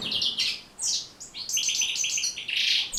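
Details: Brief burst of European goldfinch song for training birds to sing. Bright twittering notes give way to a buzzy, rattling trill near the end, all high-pitched and quick.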